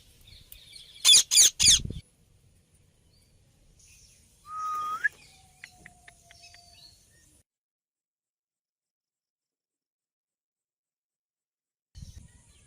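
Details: Ringneck parrot uttering three rapid harsh screeches near the start, then a short rising whistle and scattered faint chirps, followed by long near-silence and a low rustle at the end.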